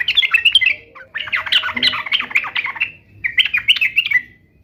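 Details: Sooty-headed bulbul (trucuk) in full 'gacor' song, played so that other bulbuls reply: two bursts of bubbly, chattering warbled phrases, bright and fast, with a short pause between them.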